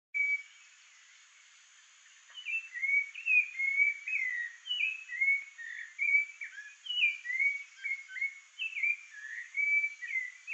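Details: Rufous-bellied thrush singing while guarding the area around its nest: after a brief opening note and two quiet seconds, a steady run of clear whistled phrases, each dropping or rising, about one per second, with faint background hiss.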